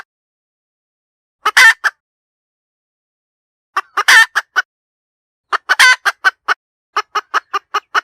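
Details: Hen cackling in separated bursts, each a loud strained squawk flanked by short clucks, ending in a steady series of evenly spaced clucks about five per second.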